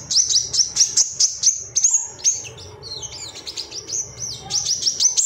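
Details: Agitated male ruby-cheeked sunbird calling for rivals, used to coax birds into song: rapid high-pitched tseet notes in quick succession, a brief pause with scratchy twittering, then the fast sharp chirping resumes.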